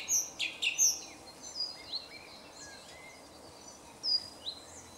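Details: Song thrush singing in a grove near Jarun, Zagreb, Croatia, on 2 March 2016: a varied run of high, sharp whistled and chirping notes, loudest in the first second, then quieter scattered phrases and a final brief burst.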